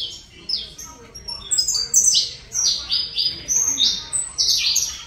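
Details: Saffron finch from Colombia giving spaced, high bright notes and short slurred chirps, starting soft and becoming louder and more regular.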